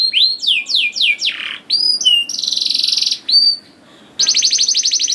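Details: Canary song for encouraging young canaries to sing: falling slurred whistles, then a dense buzzy trill, a short silence and another fast trill.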